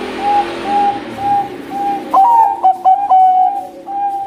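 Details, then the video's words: Zebra dove of the Bangkok type amid hissy background noise. Steady, evenly spaced low hoots lead into a phrase of clipped notes and a purring trill, then the hoots resume. "Merdu Suara Besar perkutut bangkok gacor"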